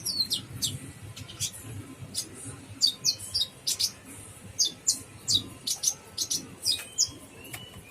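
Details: Brown-throated sunbird (kolibri ninja) in full 'gacor full isian' singing: a long series of shrill, clipped chirps and squeaky notes spaced irregularly, with occasional thin drawn-out whistles; a soft low hum persists throughout.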